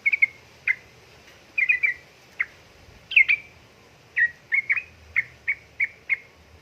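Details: Sooty-headed bulbul, a female calling to a male, utters clear ringing chirps, some in tight clusters, one higher squeaky note midway, and a closing series of evenly spaced single chips.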